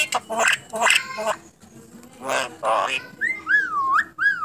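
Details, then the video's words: Talking starling, a contest champion: several speech-like syllables, then clear looping whistles that swoop up and down at the end. "Burung Jalak Bisa Bicara"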